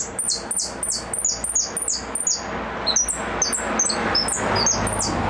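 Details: Repique-style goldfinch song: fast bright whistles sliding downward at a high pitch, strung together in an energetic burst. Steady low background noise rises toward the end.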